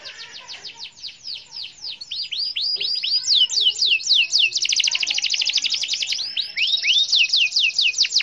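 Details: Canary in fluent gacor singing, played to get silent canaries singing: fast trains of high downward-sweeping notes, then a dense rapid trill and more looping sweeps, loud and continuous, background clean.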